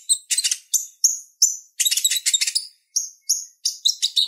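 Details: Purple-throated sunbird in energetic song used to train other songbirds: clusters of shrill twittering notes alternating with clear high whistled chirps, steady and continuous.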